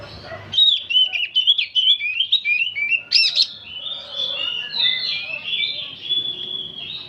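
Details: Aged oriental magpie-robin in continuous song, a fast stream of sweet whistles and slurred trills mixed with a sharp burst of scratchy notes near the middle, then sustained high warbling.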